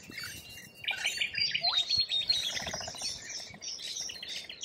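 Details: Australian lorikeets chattering together: rasping, shrill screeches blend with short sharp chips and a brief downward-sliding note, forming a continuous high-pitched wall of bird noise.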